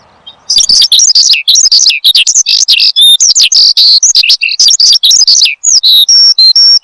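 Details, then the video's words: Lure and master song of a caged Horsfield's bushlark. After a faint low hum, a burst of rapid varied chirps and trills starts, ending in a few drawn-out whistles. "Kicau Burung BRANJANGAN Gacor, Untuk Pancingan Dan Masteran"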